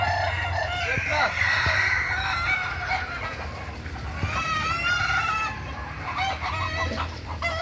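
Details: Kukuak Balenggek roosters at a crowing practice contest in Ampang Kualo, Solok, May 2024. Several long, multi-note crows overlap, with wavering tones that step up and down, over a low, steady rumble in the background.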